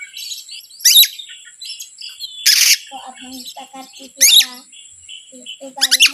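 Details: Oriental magpie-robin song used as a lure to anger other birds: varied whistles and low chatter, with loud scratchy bursts recurring every one to two seconds.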